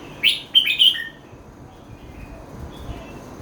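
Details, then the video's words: One short, loud song phrase from a red-whiskered bulbul in the local 'met kuay jee hok' pattern: an upslurred whistle, then two or three quick bright notes stepping downward, followed by near silence with faint low background hum. "เม็ดก๋วยจี้หก #เสียงนกกรงหัวจุก"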